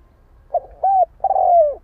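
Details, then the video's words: Close spotted dove giving a quick short note, a smooth arched coo, then a long vibrating coo that slides downward, loud and clear over low rumble. "Chim cu gáy gọi hay mới nhất"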